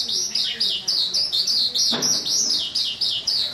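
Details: Nightingale singing, recorded 8 August 2016: a fast series of bright, high chirps, about four each second, evenly repeated, with one short low thud partway through.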